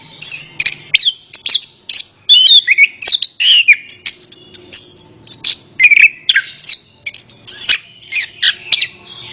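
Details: Rich Orange-headed thrush song of mixed whistles, slurs and fast twittering notes flowing in quick, irregular bursts, intended to stir a silent bird into answering.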